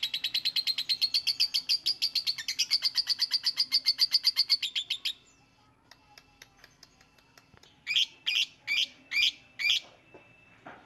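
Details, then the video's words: Singing lovebird: a long, fast, steady trill of high, shrill notes that builds in loudness for about five seconds, a quiet stretch with faint ticks, then five separate loud, harsh, buzzy calls. "LOVEBIRD SINGING"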